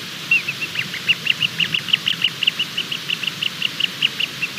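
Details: Bermuda petrel (cahow) chick working hard to hatch near 23:33 on 28 February 2020; rapid series of short, high, clipped peeps, several per second, steady and insistent over a low background hiss.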